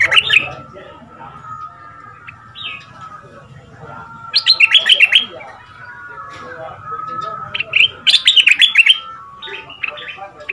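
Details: Southern Thai caged red-whiskered bulbul decoy, kept two months, in the fierce double style, played so young birds learn and sing along: two loud runs of clear, bouncing whistled notes separated by quieter chirps and a steady background hum.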